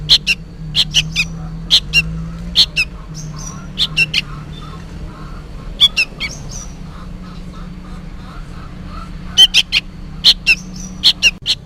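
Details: Young sooty-headed bulbul noisily calling as if for its parent, giving scattered sharp, harsh chirps in short clusters separated by quieter gaps, with faint softer chirps and a low background hum.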